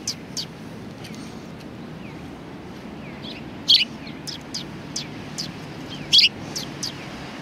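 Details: Scattered high chirps from sparrows at a Tenmangu shrine, mostly faint with two loud bursts a few seconds apart and soft lower curved notes between, over steady background hum.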